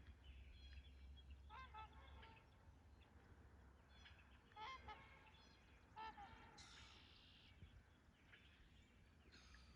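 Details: Trumpeter swans at takeoff on Rifle Lake, April 28, 2020, giving short bursts of loud, brassy honks in small clusters at roughly one-to-two-second gaps, with a brief higher squeal midway and low rumbling background noise.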